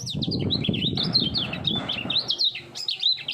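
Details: Three-year-old caged common iora in fast contest singing with doubled voice: a quick chain of sliding whistled notes, swooping up and down without pause, over a low rumbling background.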